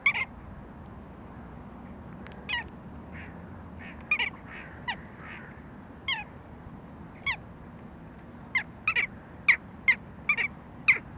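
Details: Western jackdaws in December 2013 give short, sharp 'tchak' calls, scattered at first, then quicker toward the end.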